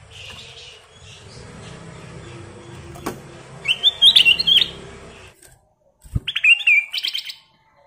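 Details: Ruby-throated bulbul (kutilang emas) in full 'gacor' song with 'isian' fill phrases: two bursts of quick warbled, wavering whistled notes, each about a second long, with low background rumble.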